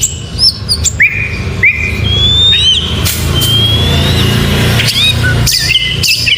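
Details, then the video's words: Oriental magpie-robin in the morning, singing sparse, pure whistles that rise sharply or glide level, spaced a second or so apart, over a steady low background hum. "Suara Burung Kacer Di pagi hari GACOR MEWAH...‼️Bikin Kacer Lain ikut Bernyanyi"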